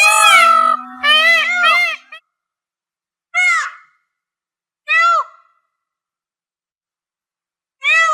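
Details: Peafowl giving loud, nasal, wailing calls with arched, rich tones: a quick cluster of three in the first two seconds over a faint steady hum, then single calls near 3.5, 5 and 8 seconds.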